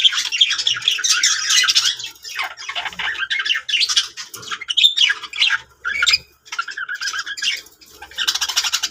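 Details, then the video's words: Several contented pet budgerigars chatter in rapid, buzzy warbles and sharp squawks in bursts of a second or two, separated by short pauses. "Happy budgies sounds"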